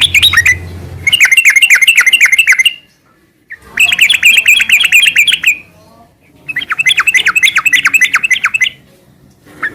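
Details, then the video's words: Sooty-headed bulbul gacor sambung ngeropel song for lazy, moulting birds: three fast rattling bursts of sharp repeated chirps, each lasting one to two seconds, with quiet pauses between. "Suara kicau burung trucukan gacor garuda sambung ngeropel"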